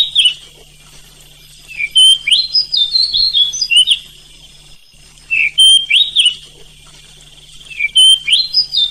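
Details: An oriental magpie-robin sings bursts of rich, varied whistles and quick chattering notes that slide up and down, separated by short pauses, over a faint low hum; a night-time recording used to make other magpie-robins sing.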